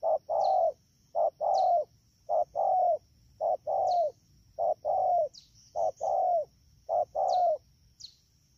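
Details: Fast cooing by a wild-caught spotted dove at Đak Tô, 3 October 2019, rainy season: regular low double coos, a clipped note then a longer slurred one, about seven pairs, with sharp high chirps from another bird now and then.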